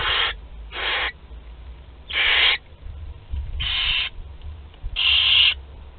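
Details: Young barn owls, two to twelve days old, at a shared meal in Théding, France, on 29 April 2021, give rasping hissed screeches in irregular bursts, five in six seconds, over a faint low rumble.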